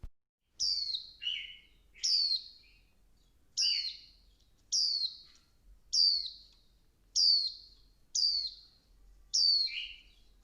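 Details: Female Swinhoe's white-eye stimulating a male: a series of eight thin, piercing chirps that slide steeply downward, spaced about a second apart, several followed by a brief lower-pitched tail note.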